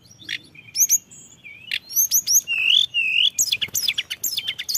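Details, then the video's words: Blood-breasted flowerpecker singing in a lure recording: spaced sharp chirps, then wavering whistled slides and a closing flurry of fast high twitters. "pancingan tledekan gunung full isian"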